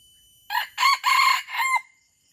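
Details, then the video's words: Red junglefowl from Aceh crowing, recorded as a lure to attract wild birds: a loud, harmonic crow of four joined segments over about 1.3 seconds, with a rough, strained middle and a falling end, in a quiet background. "Ayam Hutan Aceh “ Pemikat “"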